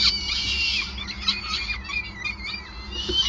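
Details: Feeding time at a peregrine falcon nest in Groningen, spring 2020: a continuous stream of shrill, raspy calls with wavering squealing notes, backed by a steady low hum.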